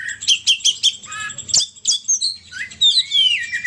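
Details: Indonesian poci bird used as a lure: quick high chirps repeated in a short burst, a sharp click, then varied squeaky whistles and gliding, descending notes over a faint low hum.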